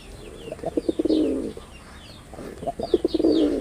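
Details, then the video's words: Male wild pigeon with red border performs two rolling coos, each opening with short clicking notes before a drawn-out throaty swell, while small birds chirp quietly in the background. "লাল বডার বুনো কবুতরের অসাধারণ ডাক"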